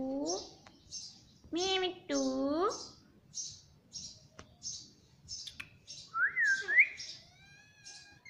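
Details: Pet parrot repeating "mummy" in a throaty, humanlike voice: two rising-falling harmonic syllables early on, then a bent whistle. Steady high chirps from other birds tick along throughout.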